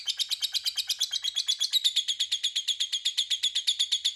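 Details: Lovebird giving a long ngekek, used to lure rival lovebirds into calling back: a fast, steady rattle of shrill chattering notes, about seven per second, unbroken throughout.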